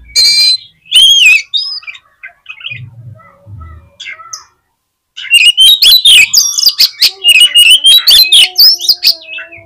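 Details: Loud Oriental magpie-robin song intended to excite other magpie-robins: a few sharp whistles, a quiet spell, then a rapid string of scratchy clicks and whistled notes repeated about twice a second.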